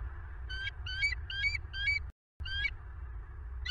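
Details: Bald eagles at a nest in Southwest Florida, recorded by nest camera on 25 November 2022 near 23:00: short bursts of high, piping, chattering notes, about four bursts in two seconds, a brief silence, then more, over low steady hum.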